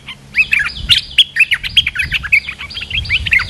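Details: A big, sturdy territorial Streak-eared bulbul answers a lure call with a steady stream of quick, slurred chirps, some notes rising and others dropping, a few brief louder peaks, faint low rumble underneath.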